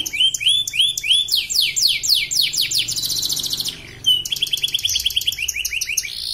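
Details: Canary competing in an online bird-song contest, owner in Pontianak, West Kalimantan: energetic caged song of rising whistled sweeps that speed into a dense buzzy trill, a brief pause, then another fast trilled phrase.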